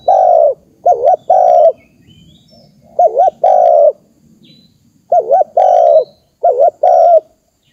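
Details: Spotted dove call used as a lure: three loud phrases, each a short wavering coo followed by a longer steady mid-pitched coo, about three seconds apart, over a faint low rumble.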